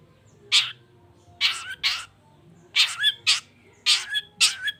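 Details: Long-tailed shrike in full, vigorous voice, meant to rouse silent shrikes into answering: harsh, rasping bursts, some doubled, given in irregular groups about a second apart, with a faint low hum beneath.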